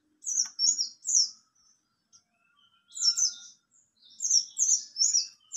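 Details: Short bursts of high, sweet, slurred chirps from a mountain white-eye (buxtoni), sung in the ngalas nembak style, two groups with a quiet pause between them.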